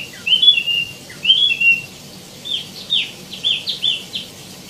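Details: Wambi mini singing two-part whistled phrases twice, each a bright note followed by a lower one, then a string of short, clipped, chirpy notes.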